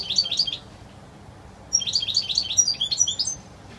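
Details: Wild-style song of a European goldfinch, clear and pure: a short high twittering burst, a pause, then a longer run of quick, bright chirps and trills lasting nearly two seconds.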